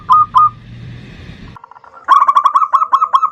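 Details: Local zebra dove in full ndudut-variation song, used as a lure to call and agitate a rival: two separate cooing notes, a pause with faint rustling, then a fast rippling string of clipped, staccato coos.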